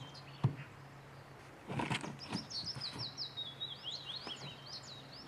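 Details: Wild bird singing on Cannock Chase on a quiet day. Thin, high whistled notes that slide downward repeat in a quick series, with a few soft knocks and rustles before them.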